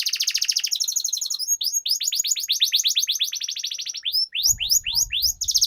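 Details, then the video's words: Canary giving a long 'ngerol' roll used as master song for young canaries: an extended buzzy trill flows into a run of quick descending notes, then slower separate slurred whistles with faint low thumping. "Suara Pancingan Burung Kenari Agar Cepat Gacor dan Ngerol, Masteran Suara Kenari Ngeroll Panjang"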